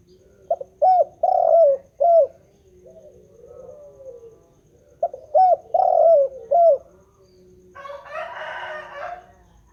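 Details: Continuous calling of a spotted dove, two full phrases each of a short lead-in and three strong hoarse coos with a long falling middle note, softer coos between, then a brief harsher noisy burst near the end.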